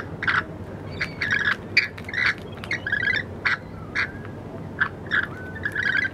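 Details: Lorikeets in Wollstonecraft give harsh, screechy chattering calls in quick bursts, several birds overlapping at a rapid, irregular pace, with a faint background hum.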